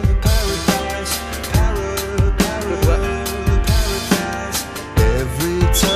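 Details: Drum-driven music with a bass beat and sung melody plays throughout, with no animal calls.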